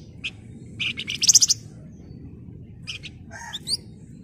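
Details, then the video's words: Flamboyan bird singing energetically in the rapid ngebren and shrill nyerecet styles, used as a lure song: sharp high chirps, a fast loud rattling burst, a pause, then scattered upward-slurred notes over a low steady hum. "Burung Flamboyan Gacor Emosi Ngebren Rapat Nyerecet"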